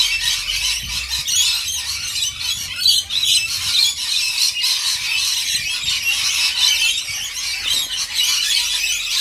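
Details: A crowd of rainbow lorikeets being fed fills the air with an unbroken, grating chorus of high screeches, steady throughout with one brief louder burst.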